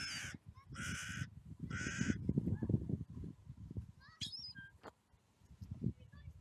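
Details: Clifftop carrion crow taking thrown nuts, seagulls nearby: three rough, grating caws in the first two seconds, then only low wind buffeting and a faint brief gull note.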